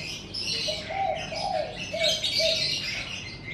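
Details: Birds singing in the morning in front of a house: dense, overlapping high chirps and twitters run throughout, with a series of short, lower, hollow coo-like notes repeated in the middle.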